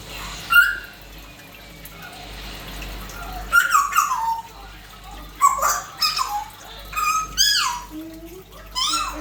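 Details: African grey parrot talking nonstop and making sounds indoors: a run of short whistled notes and mimicked voice-like phrases, several rising then falling, spaced irregularly over the recording.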